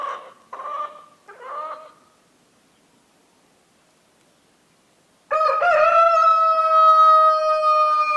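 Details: Domestic rooster crowing on a farm in the Massif central in winter: a few short, clucking notes open, then after a silent gap a loud, long, harmonically rich crow holding a steady pitch for about three seconds.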